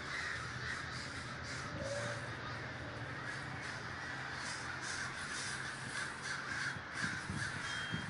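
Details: Crows at a large communal gathering in Davis, California: a dense, unbroken chorus of many overlapping harsh caws forms a steady wash of sound, with a low rumble underneath.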